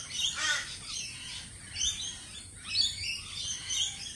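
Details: A few lorikeets at a cafe give loud, rasping high screeches in separate bursts with short gaps between them.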